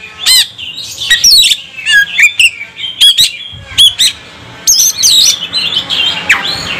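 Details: Oriental magpie-robin, a caged bird provoked to sing and become agitated, delivering loud varied song: sharp downward sweeps, rich whistled phrases and harsh bursts separated by short pauses, with faint background hum.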